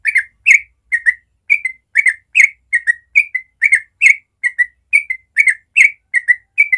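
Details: Sooty-headed bulbul singing a long 'ropel' morning song to spur young birds to learn: continuous bright whistled doublets at a brisk even pace, some falling in pitch, with no background sounds.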